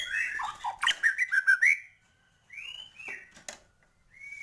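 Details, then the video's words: White-rumped shama (murai batu) in lively 'gacor' singing with full 'isian' filler phrases, meant to excite other birds: rich whistled slurs, then a fast run of loud rhythmic notes, a pause, and softer rising whistles. "Murai batu gacor,, full isian cepet naikan emosi burung"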